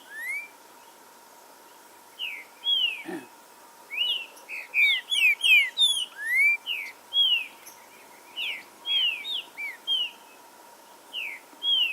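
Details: Forest warm-up song of green-winged saltator meant to stimulate singing: a long run of loud, sweet whistled notes, several overlapping at once, slurring up and down at an irregular quick pace, with one low thud and a faint steady hum.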